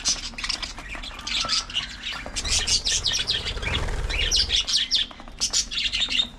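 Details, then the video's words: Parakeets at early morning feeding time keep up dense, continuous twittering, with many overlapping high chirps and squeaks that barely pause, over some low rumbling. "Parakeets Doing Hilarious Activities & Early Morning Feeding Time | budgies parrot"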